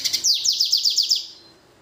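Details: Blacken, a blackthroat and canary hybrid finch, in full song: a fast series of about eight high, repeated downslurred notes forming a bright trill that fades out.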